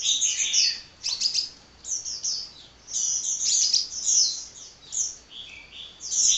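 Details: Hummingbird singing wildly without stopping: rapid high, thin chattering twitters in dense bursts, short gaps between phrases, quiet background.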